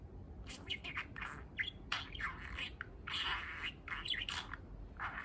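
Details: Male budgerigar, eight months old and kept as a pet, practising speech, mixes chattering chirps with short squawky bursts in an irregular, busy stream of soft warbling notes.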